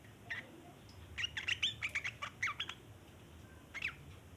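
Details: Chattering song of a sooty-headed bulbul, a lure for other bulbuls: a rapid series of bright, slurred chirps over about a second and a half, followed by a single downslurred note after a pause.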